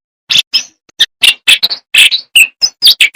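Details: Jongkangan in full song: loud, crisp flute-like chirps and short whistles come in rapid, slightly irregular succession, roughly twelve notes over three seconds, several bending in pitch, with a clean, quiet background.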